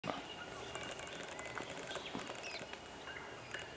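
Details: A male Regent Honeyeater eagerly calls while approaching a female at Quorrobolong, NSW, on 13 June 2017, giving quick bursts of high, metallic chattering notes and a short falling whistle over steady outdoor rustling.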